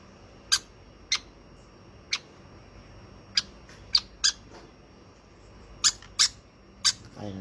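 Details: Hand-fed conure chick making about ten brief, piercing high peeps at irregular intervals, sometimes in close pairs, in an otherwise quiet setting.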